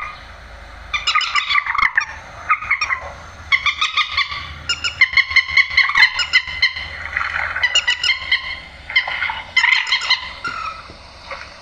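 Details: Raucous nasal calling of a grey-headed swamphen, used at night to lure birds into nets; choppy bursts of harsh, reedy notes repeated through the clip over a faint low hum.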